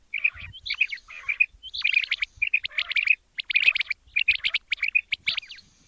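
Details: Quail calling for morning hunting use: bright, high chirps and clipped whistles packed into quick clusters separated by short gaps, with a few upward-flicking notes.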